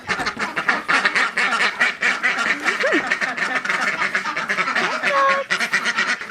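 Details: A flock of domestic ducks kept penned on a hot, humid morning quacks nonstop, irritated and wanting to be let out, with harsh nasal quacks overlapping several per second and a couple of faint whistled notes from other birds.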